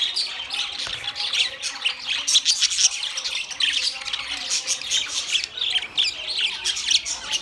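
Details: A group of budgerigars fills the air with constant high, buzzy twittering and clipped squawks, the chatter rising and falling in short bursts.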